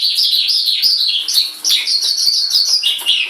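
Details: Tame white-rumped shama singing freely while let out of its cage: continuous loud, fast warbling of bright whistled and chirped notes with hardly a pause.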